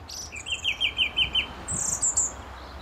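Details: A male song thrush perched close at a St Albans gravel pit in May 2012 gives a rapid series of six identical clipped notes, then a couple of very high thin squeaks.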